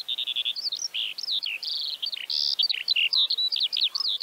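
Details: Eurasian Skylark singing in Central Russia, a continuous rapid stream of varied chirps, trills and warbled notes high in pitch, with short slurred whistles and buzzy phrases tumbling without pause.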